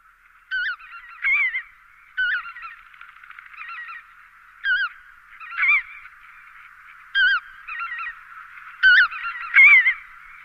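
Lesser white-fronted geese give high, squeaky, yelping honks in bursts every second or two over a steady murmur of a calling flock.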